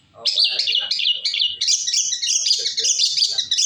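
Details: Shrike, locally cendet, singing as a lure to get other birds to answer: continuous loud, high, jumbled warbling with rapid mimic-like notes and little pause.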